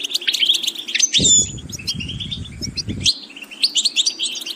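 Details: Goldfinch in vocal training sings rapid twitters with bright whistled slurs; a two-second stretch of low rustling or wing flapping sounds in the middle while the twittering continues.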